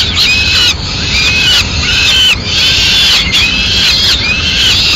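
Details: Peregrine falcons at a nest in Madrid as the male brings a swift and feeds the chicks in pieces. Harsh, arched screeching calls overlap almost without pause, with brief breaks, rising and falling in a strained wail.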